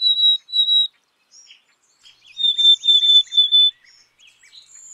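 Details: Black-capped chickadee singing high whistled notes, a pair then a three-note phrase, with faint chips and buzzy sounds between.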